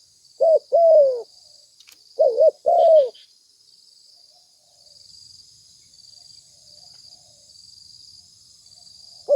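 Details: Spotted dove lure call: two phrases of short hooting notes followed by a descending coo, then several seconds of quiet with only a faint, steady high-pitched buzz.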